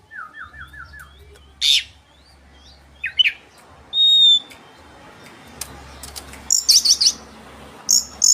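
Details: Oriental magpie-robin song used as a lure to provoke rival birds: clear descending whistled notes in a quick run, slurred whistles, a long pure whistle, then loud buzzy chattering bursts, over a low steady hum.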